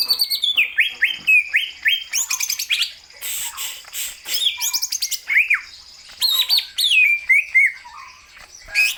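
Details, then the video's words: Loud, varied song of a greater green leafbird, rich in quick downslurred whistles, buzzy rattles and chattering bursts delivered in rapid phrases separated by short gaps. "Kicauan Burung Cucak Hijau Gacor agar bongkar isian"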